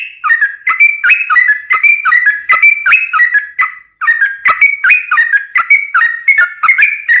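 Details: Yellow-vented bulbul giving long, continuous 'ropel' song as a lure for other bulbuls: rich, bubbly whistled phrases of alternating higher and lower notes, tumbling quickly for several seconds with one brief break.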